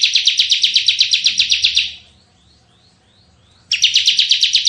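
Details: Lure and tutor recording of a lively Bar-winged prinia in tembakan song: a fast buzzy trill fades out, a few faint thin notes follow in the pause, then another rapid burst begins.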